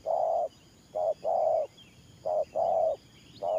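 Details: Decoy spotted dove giving 'thổ pha' style coos: a brief note followed by a drawn-out one, in three even pairs with short pauses. Faint twittering of other birds sits in the background.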